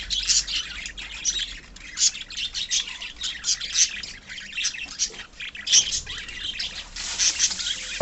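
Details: Pet budgerigar colony with many birds chirping at once, bright, sharp high notes coming in rapid, uneven bursts throughout.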